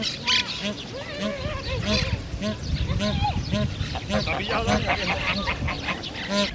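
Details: Bar-headed geese, an introduced species in Europe found in park lakes and ponds, give a busy chorus of nasal honking calls, many birds overlapping in quick, uneven bursts, with a voice possibly underneath.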